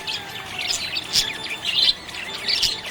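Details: Budgerigars described as happy, giving rapid bursts of high twittering chirps in clustered pulses with brief dips between them, over a faint steady whistle-like tone.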